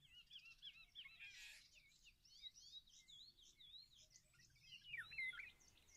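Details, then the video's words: Several European bee-eaters calling together: liquid, rolling 'prrrip' notes, rapid and overlapping, with a brief rustle or wing noise and soft background hum. "Żołna pszczołojad, European Bee-eater, Bijeneter, Золотистая щурка, norki żołn, song, głos żołny"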